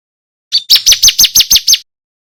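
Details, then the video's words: Male bar-winged prinia singing loudly and clearly, used as a tutor recording for contest songbirds: one short note, then seven rapid, high, downslurred whistled notes in just over a second. The background is otherwise silent. "Prenjak putih jantan GACOR - Suara MASTERAN Ciblek kristal"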